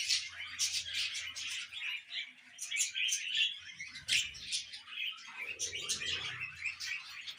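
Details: Young pet budgerigar chattering nonstop in a small room: busy, high chirps and twittering notes run throughout, with soft low rustling and handling sounds underneath.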